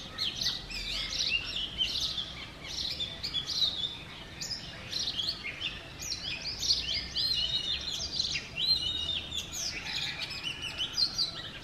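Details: Male Oriental magpie-robin singing in the morning in front of a home in Sialkot, Pakistan: a continuous run of varied whistled phrases and chirps, high and sweet, with faint low background hum.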